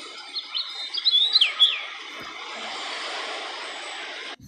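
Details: European robin recorded in Wales, United Kingdom, in 2014: a short burst of thin, high, warbled notes in the first two seconds. A steady hiss of background noise follows and fills the rest of the recording.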